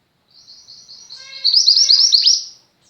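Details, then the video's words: Tutor song from a female mountain mantenan white-eye for pet white-eyes: a quiet high twitter that builds into a loud, fast string of chirps, with a faint lower tonal hum beneath. "mantenan gunung betina gacor, cocok untuk masteran burung pleci anda."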